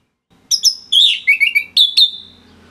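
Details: Orange-headed thrush (anis merah), a kept songbird from northern Bali, Singaraja, singing for training other songbirds: a burst of clear whistled and slurred notes, falling then holding steady, with sharp chips at the end.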